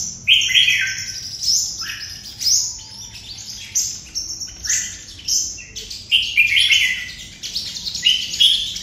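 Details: Vietnamese red-whiskered bulbul from Đồng Nai giving 'hút mật' song: dense, bright twittering phrases of high chirps and slurred whistles, loud and steady through the whole stretch.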